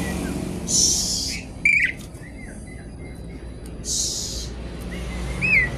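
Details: Javan pied starling singing noisily with mimicked phrases while looking for a rival: two long hissing bursts frame a short series of soft whistled notes and a sharp rising whistle at the end.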